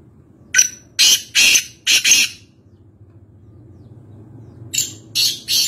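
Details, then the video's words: Kaala Teeter, the black francolin, heard at Nawabshah, Pakistan: two harsh rasping phrases, the first of four scratchy notes, the second three notes near the end, separated by a quiet gap over faint low hum. "Kaala Teeter (Voice Only) | Black Francolin | Black Partridge"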